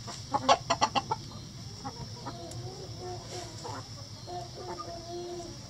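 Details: Backyard mixed flock of egg-laying hens in a coop, scratching up seeds and bugs and clucking to each other; a quick burst of sharp scratching clicks opens, then soft, low, repeated clucks and murmurs follow over a steady background hum.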